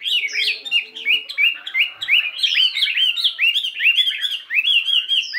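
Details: Morning voice-practice singing from a 72-gram Chinese hwamei fighting bird: a dense, continuous stream of quick ringing whistled notes, each sliding downward, repeated many times in fast succession.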